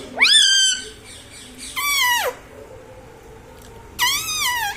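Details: Indian ringneck parrot kept as a talking pet, said to say "Mummy Mummy" and ask for roti; three drawn-out, harsh utterances, the first rising and the second falling steeply, with pauses between them.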